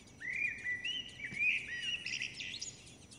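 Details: Common blackbird chicks being fed by both parents beg with thin, high, squeaky notes that run together in a rising, wavering chorus for about three seconds; faint outdoor background.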